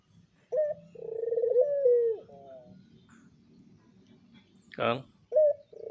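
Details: Barbary dove, a caged breeding adult of pelung style, giving one long rolling coo. A clipped high note leads into a quavering descending croon. A brief human vocal burst follows, then the bird starts its next short opening note.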